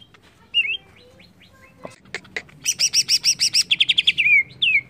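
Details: Agitated song of a greater green leafbird: a few soft notes, then a rapid buzzy trill of stacked chirps, a quicker rattle and two descending whistled slurs.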